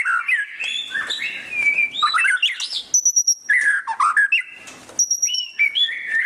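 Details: White-rumped shama delivering loud ngeriwik chatter, mixing harsh buzzy warbles with sustained high, thin whistles and quick twittering notes in an unbroken, varied stream.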